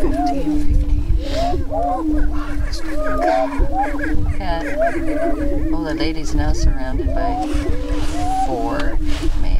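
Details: Spring lek of Greater prairie-chickens in northwest Minnesota near Crookston, recorded 27 April 2013 during the mating dance. Constant low booming moan beneath a busy overlapping chorus of looping whoops, chatters and cackles from numerous birds.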